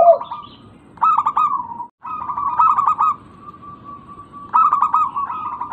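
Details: Local zebra dove, used as a lure so that quiet birds respond: a brief low coo, then stuttered, rippling coo notes held at an even pitch in several bursts separated by pauses.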